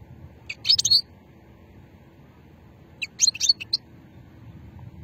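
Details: European goldfinch from Hammam Guergour, Sétif, Algeria, recorded in 2020, singing in the old shetla style: two short bursts of high, tinkling twittered notes about two seconds apart over a low background hum.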